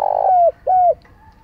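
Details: Fragment of spotted dove cooing used for decoy training: the tail of a rough, rolling coo, then two smooth mellow coos that dip slightly at their ends, over soft low hum.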